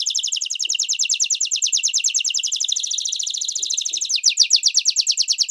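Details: Canary tutor song for young and adult Reino and Belgian canaries in training: a continuous rapid, buzzy trill of tightly packed notes, shifting to a slightly lower, louder rolling trill near the end.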